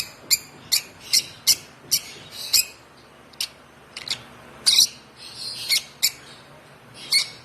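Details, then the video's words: African lovebird chick aged one month, hand-fed since two weeks of age, uttering crisp high chirps, several in quick succession, a short lull, then more spaced chirps; background otherwise quiet. "Chirping sound of this lovebird"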